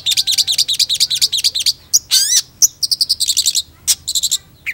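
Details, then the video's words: Long-tailed shrike singing energetically: a fast rhythmic string of high, chattering double notes, a harsh buzzy rising sweep, then more quick squeaky chatter. "PENTET GACOR"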